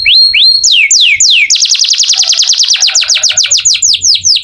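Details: Energetic canary song for training magpie-robins: a few slow swooping notes, then a rapid series of steeply falling whistles repeated several times a second.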